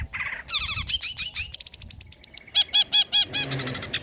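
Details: A long-tailed shrike delivers old-style, rich song material, used for provoking and training other shrikes. A low buzzy phrase gives way to dense high twittering, a sustained thin whistle, then evenly spaced repeated looping notes.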